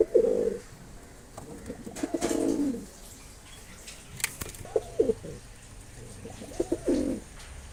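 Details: Deep throaty coos of a Mosaldom pigeon: four phrases of rapid pulses swelling into rolling notes, with a sharp click heard midway.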